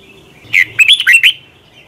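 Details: Single phrase of red-whiskered bulbul morning song, long double twisted-voice style used for training birds: five rapid, clear whistled notes swooping up and down in under a second.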